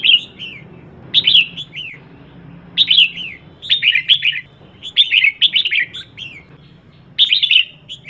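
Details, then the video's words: Calls of a female red-whiskered bulbul meant to stimulate males: clusters of sharp, rolling whistled chirps with falling tails, delivered in irregular bursts with gaps, over a quiet low drone. "CHÀO MÀO MÁI HÓT SIÊU KÍCH TRỐNG"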